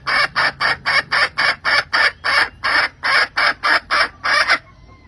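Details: A hen calls the rooster late in the season with a long series of harsh, squawking clucks, about fifteen evenly spaced bursts that stop abruptly at the end.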